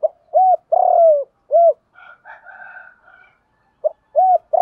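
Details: Spotted dove cooing, used to train newly caught captive birds: a short low note, two arched hollow coos, a long buzzy coo sliding downward, another arched coo, a faint higher warble in the middle, then the phrase starts again.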